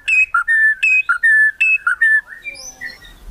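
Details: Murai batu, the white-rumped shama, in kretekan song meant to provoke rivals: clear steady whistled notes alternating in pitch, repeated about once a second, then fading higher warbles.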